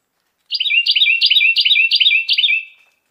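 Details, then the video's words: Carolina wren sings a clear, rapid run of about six identical rolling phrases. Each phrase is a bright double note sliding downward, delivered in a steady two-second burst against a silent background. "CAROLINA WREN SUARA JERNIH"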